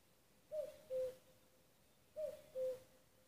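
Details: Common cuckoo calling in Nuuksio, Finland, on 6 May 2015: two clear low two-note cu-coo calls, the first note higher and the second lower and held, over a quiet background.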